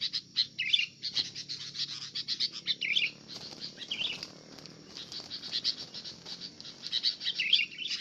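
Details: Sooty-headed bulbul being attacked by a fighting bulbul: excited chattering bursts of chirps and rolling notes, a brief pause midway, then renewed agitated calling, faint low background hum.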